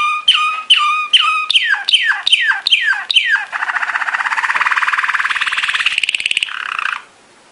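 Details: Training song of a Belgian Malinois Waterslager canary: eight bright dripping notes, each sliding steeply downward, about every 0.4 seconds, then a long even bubbling roll lasting over three seconds before stopping.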